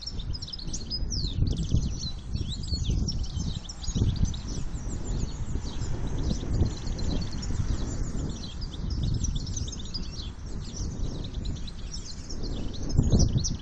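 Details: Male European goldfinch, a campero bird in breeding condition and without a mate, sings a continuous, fast, tinkling twitter of high chirps and trills throughout, over a steady low rumble of background noise.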